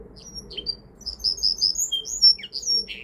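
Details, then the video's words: Linnet and Canary cross, a mule, sings a quick stream of high twittering and whistled notes, with a short falling slur and a buzzy final note, over faint low room noise. "Linnet × Canary Hybrid / Mule 1 - Hänfling x Kanarien - Pardillo Pecho Rojo (Linaria Cannabina)"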